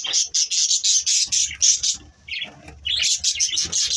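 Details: Budgerigars chirping in the morning: dense, high, rapid chatter of short chirps in quick bursts, with a brief lull near the middle before the busy twittering resumes.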